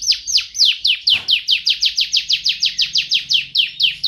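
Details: Continuous champion canary song for tutoring and prompting home birds to sing: a steady series of loud, descending whistled notes repeated about four times per second.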